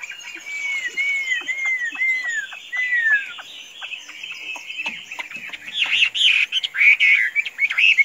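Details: Tame hwamei, a bird said to stay put without flying off when let loose, opens with a run of clear downslurred whistles repeated about twice a second, then shifts into quicker, varied warbled phrases with faint clicking behind.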